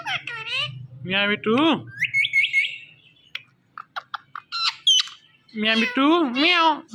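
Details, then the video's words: Pet Indian ringneck parrot chattering: rapid harsh, wavering squawky syllables and speech-like sounds, quick chirps between them, with brief pauses. "Indian Ringneck Parrot Saying Mithu Mithu"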